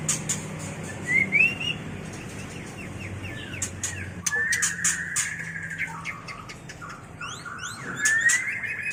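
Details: White-rumped shama mating song used for training and luring birds: scattered whistled notes and rising slurs, a long sustained whistle mid-clip, sharp clicks and chips throughout, over low background hum.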